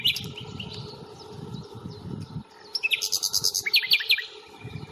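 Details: On a May 1st reserve stroll at Fingringhoe, a common nightingale delivers high scratchy notes, then a loud, even series of about a dozen rapid piping notes. Low rumbling noise from walking or wind runs through the first half.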